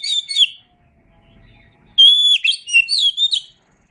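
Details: Oriental magpie-robin singing on a songbird training recording: a short chirpy phrase, a pause, then a sustained run of clear whistled notes that wavers and rolls through varied high tones for about a second and a half.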